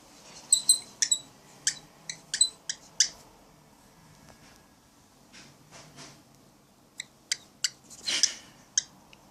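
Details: Grumpy pet cockatiel guarding its cat friend inside a small room: a rapid series of sharp, high, scratchy squeaks, then a pause with faint rustling, then another burst of clipped, harsh calls.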